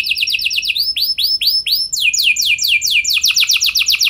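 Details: Canary song used as a lure recording to set other canaries singing in long rolls: fast repeated rising-falling high notes, rolling at about four per second, changing into a series of sweeping downslurred phrases and then a quicker buzzy trill.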